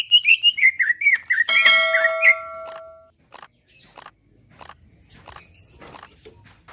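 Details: Greater green leafbird (cucak ijo) singing to provoke rivals, opening with quick, wavering whistled notes. A ringing, bell-like tone overlaps, then faint chirps and a high thin whistle follow.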